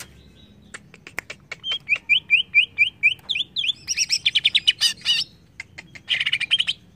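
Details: Greater green leafbird song meant to make the bird agitated: sharp clicks, a repeated series of short rising whistles, then a dense rapid chatter and a buzzy closing burst.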